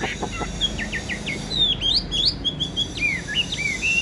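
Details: Caged Chinese hwamei, a large, well-tamed bird: a quick sequence of clear whistled notes, some rising and some dropping, strung into a lively, ringing phrase over soft background hiss.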